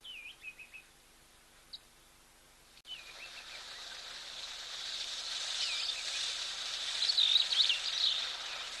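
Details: A flock of Wattled Starlings, out of breeding plumage, drinking at an African waterhole alongside zebras and elephants on 7 July 2024, gives thin, high, wheezy squeaks and chirps, scattered at first and then rising, over a steady background hiss.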